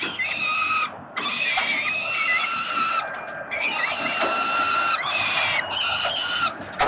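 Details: Peregrine falcon chicks at Collins Street, Melbourne, Australia, on 30 October 2021, being fed by their father: harmonic, squealing begging calls in long overlapping bursts separated by short pauses.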